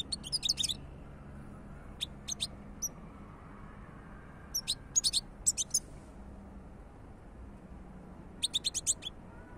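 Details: European goldfinch delivering spaced bursts of crisp, high twittering notes, short clustered phrases separated by pauses, over a quiet background hum.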